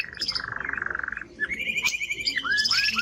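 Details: Male Timbrado canary producing a steady, even rolling tour of quickly repeated notes, then a higher sustained trill and a few rising whistled slurs.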